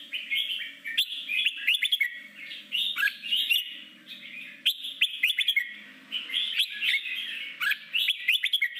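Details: Forest-voiced song of a red-whiskered bulbul, played to train newly caught bulbuls for fighting contests: dense, warbled phrases of clear whistles and quick slurred notes, nearly continuous with brief pauses, over a soft low hum.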